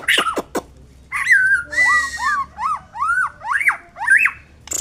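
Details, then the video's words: White-rumped shama giving a series of rich whistled notes, each rising then falling, repeated about twice a second after a few sharp opening chips. There is a short burst of hiss in the middle of the series. "Burung murai batu"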